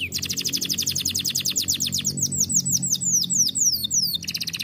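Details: Canary singing an energetic roll, a very fast trill of high repeated notes that slows into longer falling swoops, loud throughout over a low background hum.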